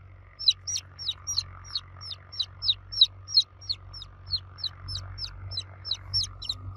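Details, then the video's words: Chicks calling loudly for their mother hen give a rapid, nearly continuous run of shrill falling cheeps, about three per second, with a faint low hum beneath. "Baby Chicks Chirping Sound For Kids Chicks Cheeping Loudly For Mother Hen"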